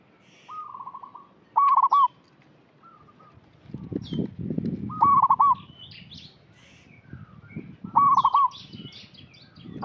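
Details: Local zebra dove used as a lure, giving loud bright rolling trilled coos every three seconds among soft coos, higher chirps of other birds and bursts of low rustling noise.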